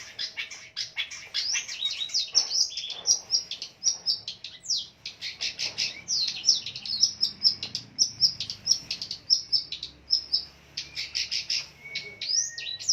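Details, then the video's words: Long-tailed shrike, a fighter bird, giving a full, fast song of shrill chattering phrases, piercing whistles and buzzy slurred notes packed tightly together, loud and continuous with only brief pauses. "Burung pendet figther gacor dor full isian"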